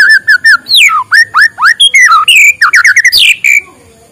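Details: White-rumped shama morning song for stimulating lazy birds: a continuous, varied run of loud whistles, short repeated notes, swooping slurs and a rich jumbled phrase before it fades.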